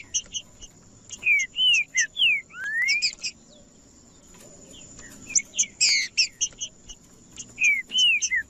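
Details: Green-winged saltator singing, played to warm up and encourage other saltators to sing: short whistled slurs rising and falling, in bursts, mixed with dense high chipping notes and a constant high-pitched tone throughout.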